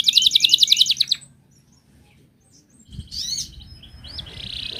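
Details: Wild Atlantic canary, song to draw out singing: a brief rapid rattling trill lasting about a second, a pause, then a couple of sharp rising notes and a soft steady buzz.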